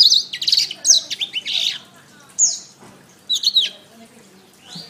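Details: Canary song used as a master recording for training songbirds: bright whistled phrases, quick falling slurs and rapid trills in short bursts, with brief pauses between phrases.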